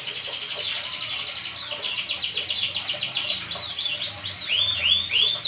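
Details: Night-time canary song, sung vigorously: a rapid rattling trill of clipped notes gives way to a slower string of arched, looping whistles.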